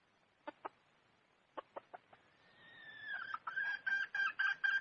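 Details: Red junglefowl hen: scattered soft clucks, then a long sliding nasal note swelling into regular loud cackling syllables about four per second.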